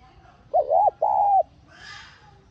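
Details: Spotted dove giving its luring call to get a decoy bird singing: a clear two-note coo, a short undulating note then a longer flat one, followed by a soft rushing sound.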